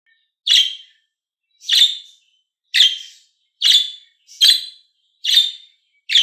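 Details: Budgerigar (Melopsittacus undulatus), call.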